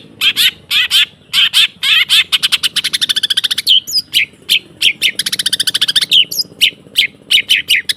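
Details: Long-tailed shrike singing in a training recording: loud, steady series of harsh chattering notes and rapid buzzy trills, with occasional whistled slurs, nearly continuous throughout.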